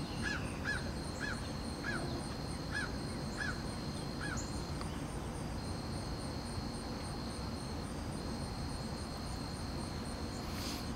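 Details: Red-shouldered hawk, perched, giving territorial calls at rival hawks: a quick series of about eight sharp, down-slurred 'kee-ah' notes over five seconds, over a steady high insect drone and low rumbling background noise.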